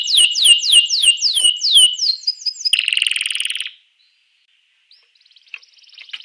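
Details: Canary song for stimulating other canaries: fast repeated falling-rising sweeps, then a dense buzzy trill that stops abruptly, followed by silence and faint scattered notes.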